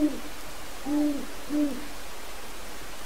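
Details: Captive great horned owls in an aviary at night, hooting to declare territory to wild owls nearby: three soft, low, even hoots spaced under a second apart, partly buried in steady background noise.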